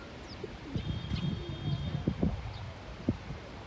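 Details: Pigeon courting with neck feathers raised and dancing, also guarding its territory: a series of low, soft pulsing coos, several in quick succession over about three seconds, with a faint steady high tone and outdoor background noise.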